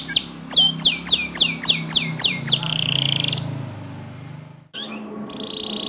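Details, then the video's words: Song of a canary, used to coax other canaries into singing: a row of sharp repeated up-slurred chirps about every third of a second, then a steady high buzzy note, a short break, and another buzzy roll; low hum underneath. "Masteran Kicau Kenari Untuk Memancing Kenari Lain Agar Ikut Gacor Dor"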